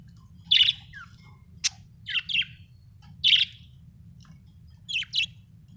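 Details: Happy budgerigar chirping: short bright chirps and warbled notes in scattered bursts, some sharp rising clicks, with quiet pauses between and a steady low hum underneath.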